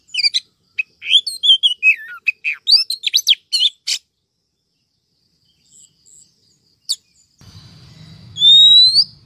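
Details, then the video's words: Luring call of a female Oriental magpie-robin used to excite males and attract wild birds: a fast jumble of chirps and whistles for four seconds, then quiet, a soft hum and one long rising whistle. "Chòe than mái mới nhất 2023 kích trống dụ bổi nhanh ra giọng, file bẫy bánh tẻ"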